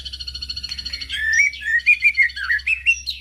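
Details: White-rumped shama lure song opening with a fast pulsing trill, then a string of loud whistled notes with bending pitch, over a low hum.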